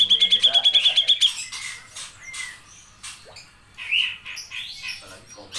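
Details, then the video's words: Grey-cheeked bulbul singing for keepers training songbirds: a quick trill of about ten bright repeated notes opening the phrase, followed by scattered squeaks and short rising whistles. "CUCAK JENGGOT GACOR | masteran wajib kicau mania"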